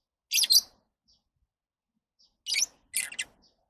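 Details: Lovebird making high, grating double chirps, one pair early and two more bursts two seconds later, sharp and shrill with quiet gaps.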